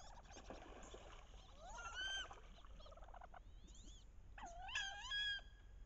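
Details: Wood ducks on a bayou in late October, paired up during the mating ritual, with hens giving loud vocalizations: rising, squealing whistled calls in two clear bursts a few seconds apart, over softer chatter and low background rumble.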